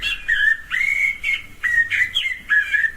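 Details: Common blackbird (Turdus merula) summer song in a garden: mellow, fluted whistled phrases, each sliding and warbling in mid pitch, several in quick succession with short pauses. Common blackbird.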